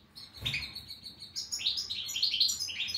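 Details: European goldfinch singing: a run of rapid, high twittering notes with quick rising and falling slurs, building into a dense, tinkling sequence.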